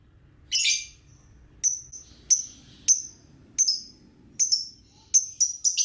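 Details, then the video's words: Lovebird serving as a lure for 'ngekek' singing, here giving a series of short, sharp, high chirps about every half second to second, some in quick pairs, over a quiet background. "Suara Love Bird Anda Ngegkek"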